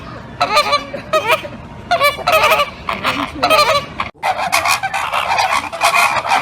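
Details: Flamingos honking: a run of nasal, goose-like honks with rich harmonics, repeated in quick bursts, then a denser chorus of overlapping calls in the second half.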